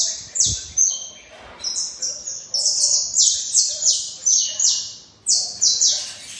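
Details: Singing saffron finch delivering a long, dense string of piercing high notes, some doubled, in quick succession with a brief pause before a final burst; a short low thump near the start.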